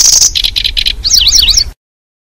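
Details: Lure call of a Lanceolated Warbler for trapping birds: a short high reeling trill, three buzzy pulsing bursts, then a quick series of sharp zigzagging whistled notes.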